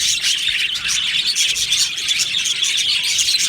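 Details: Crowded chattering from a budgerigar colony in an aviary: high, rapid chirps and tweets pile over one another without pause for a few seconds.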